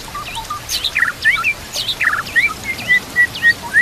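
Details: White-rumped shama in energetic song, rich with fill-ins, over natural ambience. Clipped buzzy notes and V-shaped sweeps give way to a run of clear, repeated short whistles, roughly three to four per second.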